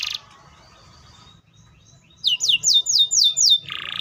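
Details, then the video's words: Canary: a brief buzzy burst, a quiet pause, then six rapid repeated downward-sliding whistles followed by another rough buzzing trill. "THE VOICE OF THE CANARIA SERINUS"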